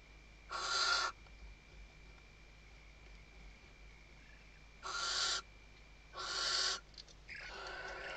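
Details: At a nest webcam in the Ebro Delta, Tarragona, Spain, 2023, a female Western barn owl calls her mate while stuffing the nest: three rasping screeches, a long pause then two close together, followed by softer rustling noise.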